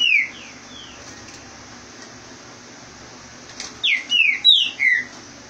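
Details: A Green-winged saltator in Rio de Janeiro, Brazil, gives clear, downslurred whistles: one short phrase, a pause, then a quick run of four or five loud falling notes over a faint low hum.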